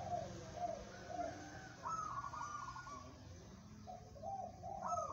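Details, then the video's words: Zebra dove of local stock, kept as a contest singer, delivering repeated rolling coo phrases in pulsed, stepped notes, one phrase after another across the recording, with a constant low hum beneath. "perkutut lokal bermental baja, cocok buat lomba"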